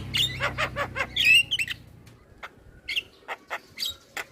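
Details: Male black-winged starling singing as a starling lure: a cluster of harsh squawks and a twisting whistle, followed by sparse, spaced sharp chips over a faint low hum.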